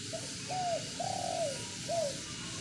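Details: Spotted dove cooing a three-part phrase: a short soft note, a long, slightly rolling coo, then a shorter closing coo, low and mellow over faint hiss.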